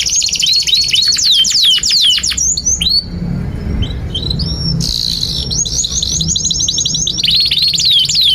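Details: Canary delivering long gacor song with cuit cuit nembak notes, used to teach young canaries to sing. Quick trills and swooping whistles, a quieter pause with faint low rumble midway, then loud high buzzy trilling resumes with falling slurs.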